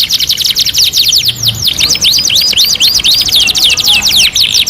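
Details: Canary song for master training, two in one: bright rapid trills leading into a chain of evenly spaced curved whistles, each dipping then rising, then more fast buzzy trilling at the close.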